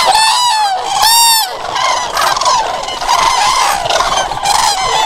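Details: Trumpeting common crane calls ring out loud and clear, a strong harmonic bugle near the start and another around one second, followed by a steady crowd of overlapping rolling calls.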